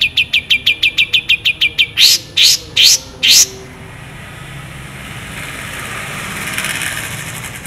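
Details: Long-tailed shrike singing actively, a tutor-style recording with full mimicked fills and sharp, long, clear shooting notes: a fast even string of short high chips, then four loud upward-sweeping whistles before a steady hiss.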